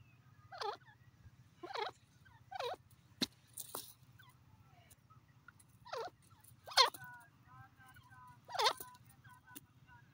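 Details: Francolin calls: harmonic swooping notes repeated at uneven intervals, plus a brief click and a fainter warbled phrase, over a steady low hum.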